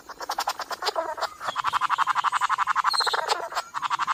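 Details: Flame bowerbird (Sericulus ardens) at Bogor gives a harsh, rasping rattle of rapid pulses, roughly ten a second, in uneven bursts with brief breaks.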